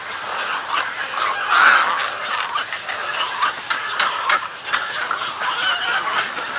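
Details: Harsh, gargling squawks from a Snowy egret colony during colony and greeting calls. A loud burst comes near two seconds, then rough, clattering calls keep rising and falling in volume over a steady background of many birds.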